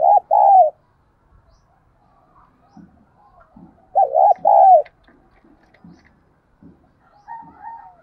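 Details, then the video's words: Spotted dove decoy giving repeated coo phrases to stimulate other doves: two coos, quiet low murmurs for several seconds, then another pair of coos and a thin rising note at the end. "Tiếng Chim Cu Mồi Gáy Thúc và Gáy Gọi Dùng Kích Bổi Mỗi Ngày"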